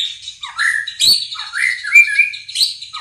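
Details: White-rumped shama singing a varied phrase of clear whistles, rising slurs and sweeping notes in quick succession, with a short sharp click near the start.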